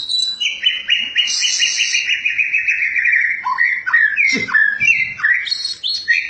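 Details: White-rumped shama opening with a long fast trill of bright notes, then slurred whistles dropping and rising, with a few low buzzy notes mixed in.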